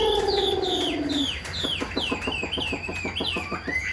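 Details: Caged Chinese hwamei, hand-tamed and kept for fighting, giving a series of descending whistled slurs over rapid staccato pulses after a brief low droning sound at the start.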